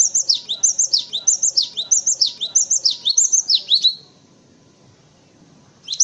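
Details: A cinereous tit sings a long, steady string of high, clipped two-part notes repeated quickly for about four seconds, then falls silent before starting again; recorded as tutoring material for white-eyes and other birds.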